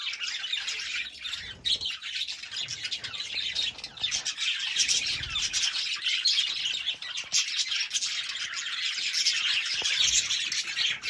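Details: Continuous high-pitched budgerigar chatter: overlapping chirps, squeaks and scratchy warbling notes pour out without a break, with occasional soft clicks beneath.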